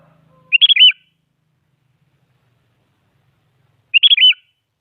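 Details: A sooty-headed bulbul repeats a lively song meant to goad rivals into singing: two identical short, bubbly, warbled whistle phrases about three seconds apart, with silence between.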